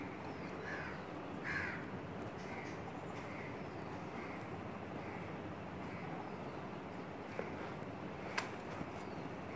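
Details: A female Asian koel, perched close by in a curry-leaf tree beside a window, gives a string of harsh, shrill notes, two loud ones then about one every half second, over a steady outdoor hiss.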